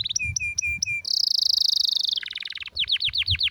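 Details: Canary singing a rare, strong song meant as a master song for training: clipped repeated notes, a rapid high buzzing trill, a lower rolling trill, then a series of loud swooping down-slurred whistles.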